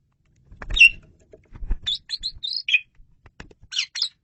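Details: Asian pied starling song, loud and clear, meant for luring birds: a bright whistled note after low thumps, then a sequence of short squeaky and slurred whistles ending in a chattering flourish.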